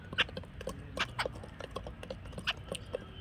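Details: Jungle babbler chattering with a steady run of short, harsh, scratchy notes repeated several times a second, some louder squeaky accents standing out.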